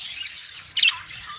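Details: Caged budgerigar in Pakistan in summer giving one short, harsh, high squawk midway through, set against soft background chirping from other birds.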